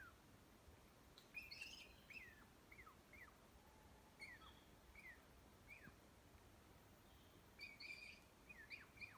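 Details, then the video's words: Northern flicker at a fen in Yosemite giving a run of short, downward-slurred calls repeated about every half second, some paired, with faint higher chirps and a steady low background rumble. "Northern flicker call"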